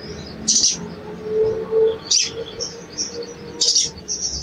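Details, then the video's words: Sooty-headed bulbul calls used as a lure for a silent bird: three loud, sharp chips spaced over a second apart, a faint high twitter, and a steady low tonal hum in the background. "CUIT CUIT PANCINGAN EMOSI SOGON MACET BUNYI DAN KURANG GACOR"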